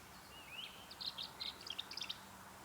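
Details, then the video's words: Tree swallow nesting in a box on a tree, giving a watery, gurgly run of high chirps and twitters after a short rising whistle, over quiet background noise. "hear that watery, gurgly sound? That's the tree swallow."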